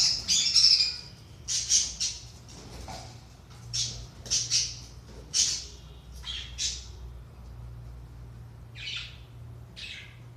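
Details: Budgerigars in a recording meant to stimulate inactive budgies: harsh, high squawks and chirps in bursts, some clustered, separated by short pauses over a faint low hum.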